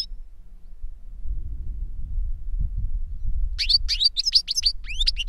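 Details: Older goldfinch singing to a younger goldfinch: after a long quiet stretch of low rumble, a quick run of high, tinkling twitters and slurred chirps fills the final two seconds.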